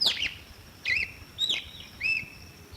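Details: Red-cowled cardinal singing in a clean original recording: a few short whistled notes, some with a flat held tail, spaced about half a second apart, against a steady high background hiss.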